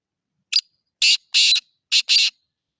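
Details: Black francolin, locally called kala teetar: a run of five harsh, buzzy notes, a short one then two longer, a gap and two more, all high and clear against silence.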